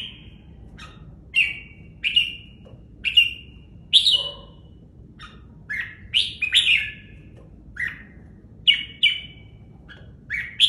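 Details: Red-whiskered bulbul kept in a cage, giving a steady series of clear, warbled whistles. The phrases come roughly every second, with slurred notes climbing and dropping, over a quiet low rumble.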